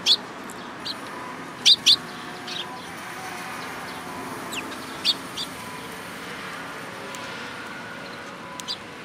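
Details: A Eurasian tree sparrow at a Tenmangu shrine on 14 April 2022 gives occasional loud, abrupt chirps, a close pair near the start and a single note later, separated by quiet stretches with faint hum.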